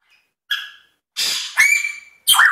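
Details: African grey parrot kept as a pet imitating sound effects: a short harsh squawk, then a long hissing, noisy rush that turns into a sustained flat whistle, ending in another abrupt grating burst.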